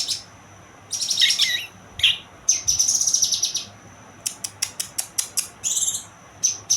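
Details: Young kinoy bird singing in bursts of high, thin chirps and buzzy trills, interspersed with short sharp clicks repeated quickly near the end, with short quiet gaps between phrases.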